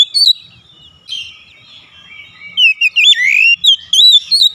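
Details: Oriental magpie-robin song used to lure a reluctant bird into singing: high thin whistles and bright warbled phrases with quick rising and falling notes, louder toward the end.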